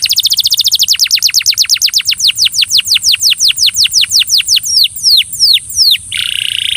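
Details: Belgian canary encouraging another canary to sing: a very fast trill that slows into evenly spaced descending whistled sweeps, several per second, ending in a harsh buzzy burst; steady background hiss.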